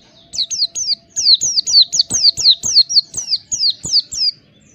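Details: Oriental white-eye sounds played as therapy to prompt a kept bird to sing and open its beak: a steady run of high, sharply downslurred whistled notes, about two per second, with faint low clicks beneath.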